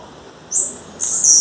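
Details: Female blue-black grassquit in the wild, calling for a male. Two very high, thin buzzy notes, the second longer and steadier, over a quiet background.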